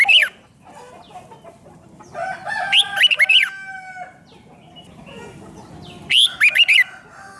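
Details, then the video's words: Red-whiskered bulbul song, played back to excite caged birds: two bursts of loud, quick whistled notes that rise and fall, about six per phrase, with a long gap between them. A lower, drawn-out harmonic call sounds in the background. "เสียงนกกรงหัวจุก ร้อง ริก"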